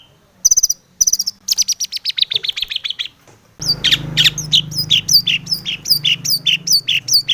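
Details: Long-tailed shrike in busy, phrase-filled song meant to spur other shrikes to sing: rapid rattling trills and a descending series of chips, then a steady stream of sharp high chirps over a low hum.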